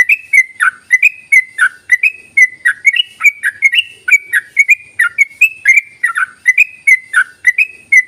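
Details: Yellow-vented bulbul calling as a lure for silent bulbuls: a fast, even run of bright chirps with dipping tails, around three notes a second throughout, in a quiet setting.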